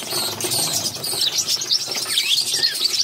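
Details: Budgerigar mother feeding her six babies in captivity; a dense run of shrill, scratchy chirps with quick up-and-down squeaky notes, high-pitched and continuous throughout.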